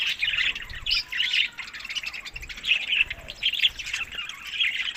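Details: Budgerigars feeding on summer food, May to June, Larkana, Sindh; rolling bouts of buzzy warbling and squawky chirps rise and fall, with brief quieter gaps between bursts.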